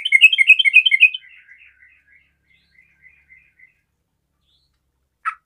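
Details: Energetic 'garuda' sooty-headed bulbul song meant to set other bulbuls singing; a quick chattering phrase, then scattered quiet notes fading out, and a single sharp knock near the end.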